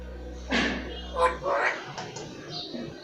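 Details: Caged Alexandrine parakeet talking like a chatterbox while relaxing and trying to sleep indoors: a few soft, speech-like bursts with brief squeaky whistled notes, quiet background hum.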